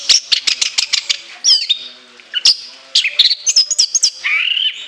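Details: Orange-headed thrush opening with a quick series of sharp repeated chips, then bending high whistles, a short pause and a final string of shrill notes with a sustained whistle.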